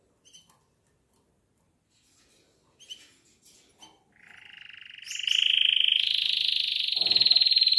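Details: Pet canary singing at home: a few faint, scattered chips, then from about four seconds a loud, sustained, rapidly pulsed trill on a steady high pitch that runs to the end.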